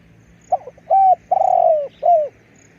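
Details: Decoy spotted dove giving one full phrase of low, breathy cooing: a quick broken note, a level arched coo, a long trilled croo gliding downward and a brief dropping coo, over faint background noise.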